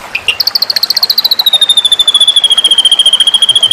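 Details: White-rumped shama in a training recording for songbird contests: a fast run of sharp, high chipping notes that smooths into a steady, slightly falling trill of about fifteen notes per second.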